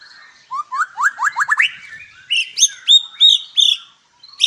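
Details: White-rumped shama at a breeding farm in Palembang, a rapid series of rising whistled notes climbing in pitch, then several loud clear fluted whistles repeated about every third of a second; quiet background.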